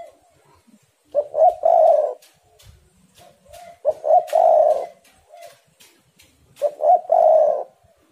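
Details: Spotted doves calling back and forth excitedly, a recording meant to coax doves into song: three low, rolling coo phrases about every three seconds, each a quick stutter then a drawn-out rich coo, with soft coos between.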